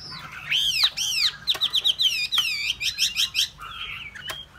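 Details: Hwamei song: loud, varied whistled phrases, rich slurred notes and rapid repeated arching whistles, with quick chattering bursts and a sharp high note near the end.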